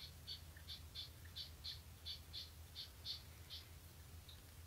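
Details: Red-legged partridge, a non-native species introduced for shooting, calling at dusk on a still evening: a stuttering, chuffing call of short harsh notes in uneven pairs, about one and a half per second, over a low steady rumble.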